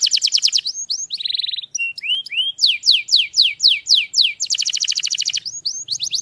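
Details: Canary singing strongly: rapid high trills and rolls shift between phrases, fast repeated notes, short buzzy bursts and a run of descending slurred whistles, then another quick trill, with no other sounds.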